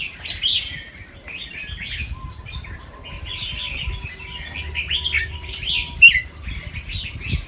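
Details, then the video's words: Fancy albino red-whiskered bulbul, white with red eyes, a caged competition-line bird from Chonburi, Thailand, singing quick doubled phrases: bright warbled notes, fast chirpy bursts repeating through the clip, with other bulbuls singing around it and a faint steady hum. "นกกรงหัวจุกแฟนซี เผือกขาว ตาแดง เจ้าฉลามชล เสียงร้องเบิ้ลๆ ริกๆ สับไว"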